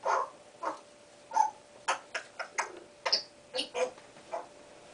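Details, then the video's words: A five-month-old baby Congo African grey parrot, kept as a pet indoors, practising sounds, words and whistles before it has learned to talk: a series of short squawky and chattering notes, some with a faint whistled tone, separated by brief pauses. "trying to talk and make sound effects!"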